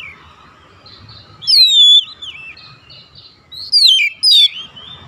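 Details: An Oriental magpie-robin calls to others of its kind and gets a reply. Loud, clear whistled phrases with falling, curving notes come in three bursts against softer distant whistling.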